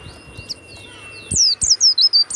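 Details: Kept warbling white-eye singing in the loud, open 'ngeplong' style. Quiet, faint high notes come first, then a bright burst of rapid, high, twisting warbled phrases. Soft low thumps and some background hum are also heard.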